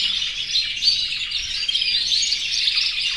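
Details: Domestic canaries, over a hundred of many colours in an aviary, males singing in breeding condition and calling to the female; a dense, continuous chorus of high twittering trills and chirps overlapping without pause.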